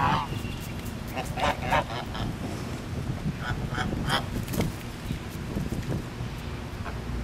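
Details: Several geese at a grand resort call in scattered, overlapping honks, some brief and clipped, set against a continuous deep background hum.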